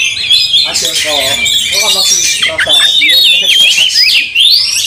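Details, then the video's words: Angry Oriental magpie-robin in a fight, tail open, provoking a rival magpie-robin; high jumbled warbling with squeaks and whistles ending in a rising whistled sweep, while a man's voice murmurs beneath. "Kacer tarung bongkar emosi buka ekor dongkrak amarah bikin kacer lain tambah Garang"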